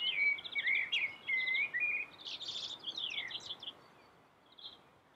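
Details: Common blackbird with a yellow bill singing melodiously over a steady background hiss. Fluted whistles and rapid trills come first, then a scratchy twittering run that fades out.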